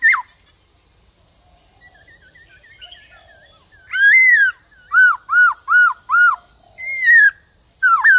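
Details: White-cheeked laughingthrush, a kept bird, played to encourage others to sing: soft faint whistles, then a loud arched whistle and four evenly repeated rising-falling notes, another long slurred whistle, over a steady high hiss.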